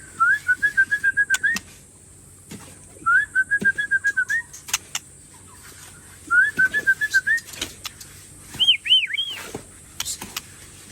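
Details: White-rumped shama of Aceh stock from Tangse, Indonesia, showing off its song fillers: three bursts of rapid, evenly pulsed whistled notes at a steady pitch, each ending in an upward flick, then a higher run of looping whistles, over faint background hiss.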